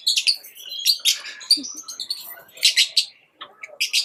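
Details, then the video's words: High, shrill chirping from pet lovebirds, with harsh scratchy bursts and thin squeaky whistles running almost continuously, broken by one brief lull near the end. "Love birds chirping sound"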